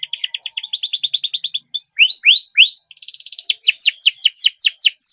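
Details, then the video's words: Domestic canary singing long and tight, used to get other canaries singing: pulsed trills, two rising whistled slurs, then a run of repeated sharp descending chirps. "burung kenari gacor panjang nembak rapat cocok buat pancingan kenari macet"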